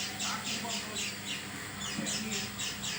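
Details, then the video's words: Oriental white-eye with an odd, atypical voice: rasping high notes repeated roughly four times a second, somewhat irregular, over a low steady hum. "Burung pleci bersuara aneh"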